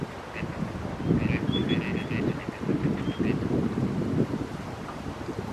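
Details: Gadwall on the Tama River, Japan: low, nasal, croaking duck calls in short pulsed bursts over steady wind and rumbling background noise.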